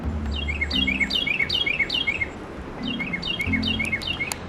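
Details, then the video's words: Carolina Wren song, likened to "cheeseburger, cheeseburger, cheeseburger": loud, ringing phrases of rapidly repeated descending notes, about five in a burst, a pause, then another burst of four, over soft background music. "And Carolina wrens sound to me like they're saying, "Cheeseburger, cheeseburger, cheeseburger.""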